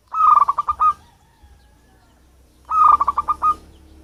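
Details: Natural-habitat local zebra dove, not bred, its voice used to lure birds: two rapid phrases of about seven clipped, bubbling coo notes each, roughly two and a half seconds apart, over a low background rumble.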